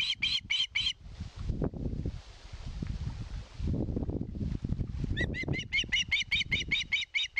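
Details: Osprey begging for fish at a Satakunta nest, Finland, 2022: a few shrill piping notes, several seconds of rumbling, hissing noise, then a renewed rapid series of sharp whistles.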